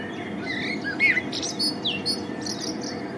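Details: Male common blackbird in spring, heard in short fluty whistled notes with quick upward slurs, broken by thin, high twittering phrases over a constant low background rumble.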